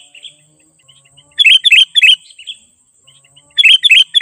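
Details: Sooty-headed bulbul in vigorous song, played to lure wild bulbuls closer: two bursts of four bright, bubbly whistled notes, quick and slightly uneven, separated by a pause with faint soft notes, over a steady high-pitched whine.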